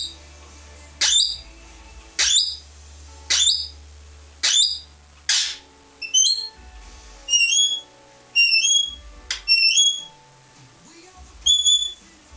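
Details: Australian king parrot opening with a regular series of harsh, broadband shrieks about once a second, then switching to high, rising two-part whistles repeated at irregular intervals, with a low background hum.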